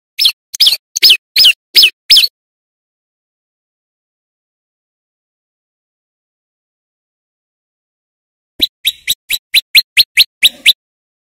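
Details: Singing male prinia, used as a lure for wild birds, giving loud bursts of high, clipped chirps, six in quick succession, then a long silence and another rapid series of about ten notes.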